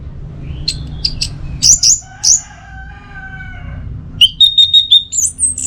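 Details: Orange-headed thrush song from Singaraja, North Bali, used as tutor material: scattered high whistles, a softer held lower tone, then a rapid stuttering series of notes ending in a rising thin whistle.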